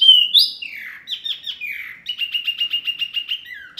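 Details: Training song for caged songbirds: a clear whistle, then slurred falling phrases, followed by a steady series of about ten short, even, repeated chip notes, ending on a falling whistle.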